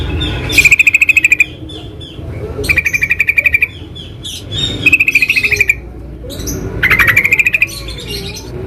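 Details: Yellow-vented bulbul (trucukan) recorded in the wild: four bursts of fast, bubbly rattling notes about two seconds apart, the last rising slightly at its end, over faint low background noise.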